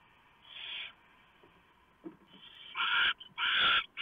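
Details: At a barn owl nest before dawn in November 2015, the male brings a huge mouse and the female tears it up for the owlets. Harsh rasping hisses grow louder and longer, with faint rustling between them.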